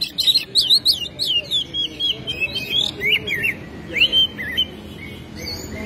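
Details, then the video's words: Oriental magpie-robin singing energetically with its tail spread and showing off its repertoire, used as a lure to prompt other magpie-robins to sing: fast run of bright whistled, twisting notes, then slower separated upslurred whistles, with faint low background hum. "KACER SUPER GACOR BUKA EKOR BONGKAR ISIAN"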